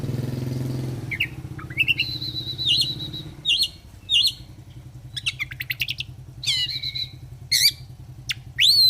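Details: Oriental magpie-robin singing in 'gacor fighter' style, offered as therapy for reluctant singers: scattered high chirps and warbles building into louder rapid phrases, with an engine rumbling at the start and a low hum throughout.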